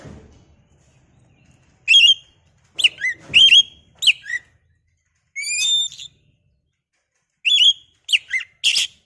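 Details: Oriental magpie-robin lure song to stir another bird into singing: bursts of sharp, clear whistled notes and downslurs, then a rising drawn-out whistle, and a last quick cluster of chirps, with long quiet gaps.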